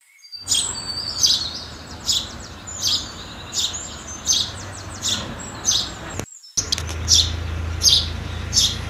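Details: House sparrows feeding, giving short bright chirps roughly every half second to second, each a burst of high notes; a brief silent gap near six seconds, low rumble beneath.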